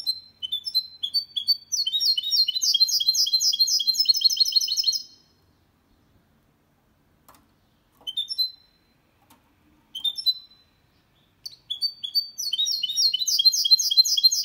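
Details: Goldfinch × canary hybrid with an error-free song used to encourage males and train young birds; long bouts of quick, high twittering trills separated by pauses and a few brief, isolated phrases.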